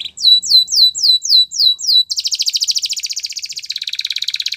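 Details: Gloster canary singing for training: a row of slow swooping downslurred whistles, then a fast dense buzzing roll of pulses that keeps going.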